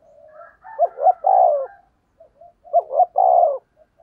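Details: Decoy spotted dove cooing to lure wild doves: two phrases, each of short quick notes rising into a long, burry, low coo, separated by a brief pause; clean background with no other sounds.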